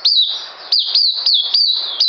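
An Oriental white-eye gives thin, very high notes, each sliding sharply down. They come in a quick run, about three or four a second, with no other sounds.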